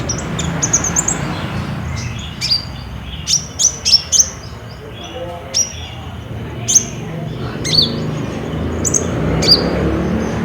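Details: Olive-backed sunbird song used as a lure to prompt a caged bird to sing, recorded on a Samsung J5: thin, high, sharp chirps and short rising notes in scattered bursts, over low background rumble with some human voice.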